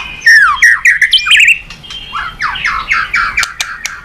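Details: Very vocal white-rumped shama used to prompt other birds into song, delivering downslurred whistles, quick chips and then a series of repeated rich whistled notes that descend in pitch.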